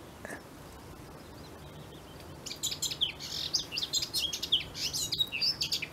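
A Eurasian blackcap breaks into a rich, fast warble of clear, fluty high notes after a quiet start, with a faint background hum.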